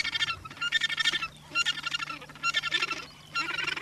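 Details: Australasian gannet walking in New Zealand on 9 December 2013; harsh, rasping, grating calls come in five bursts of about half a second to a second each, separated by short quiet gaps, with a low steady hum underneath.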